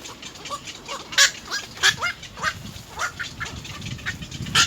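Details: Three little egret chicks begging their mother for food at the nest, biting at her bill: harsh, nasal squawks and short rising chatters repeated irregularly, some loud broadband bursts.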